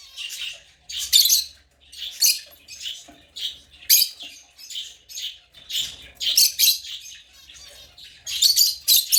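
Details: Busy chatter of African lovebirds, high-pitched chirps and scratchy notes in uneven clusters, louder bursts coming every second or so over nine seconds, background otherwise quiet.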